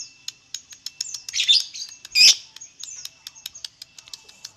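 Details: Lovebird singing, used to provoke other lovebirds into song: scattered sharp high ticks and chirps with two louder harsh squawky bursts near the middle.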